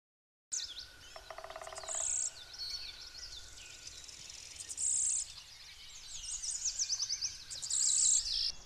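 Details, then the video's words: A Lawrence's Warbler, the rarest Blue-winged × Golden-winged Warbler hybrid, in northwest Connecticut in June, gives high, thin buzzy notes a few seconds apart over a chorus of other birds' chirps and rapid trills. "Lawrence's Warbler"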